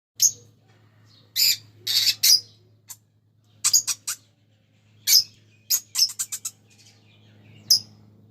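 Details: A pair of green Fischer's lovebirds chirping: short, sharp, high-pitched chirps come singly and in quick clusters of two to four, separated by brief pauses, over a faint low steady hum.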